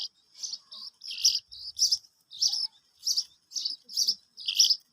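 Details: Black francolin chicks kept for sale give high, thin peeping chirps in short bursts, about a dozen over five seconds, some doubled, at an uneven pace, with near silence between calls.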